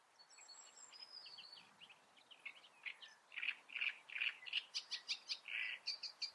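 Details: Great reed warbler singing in the Eifel: a quiet start of scattered notes builds into loud, harsh, repeated croaking syllables, about three per second, strongest near the end.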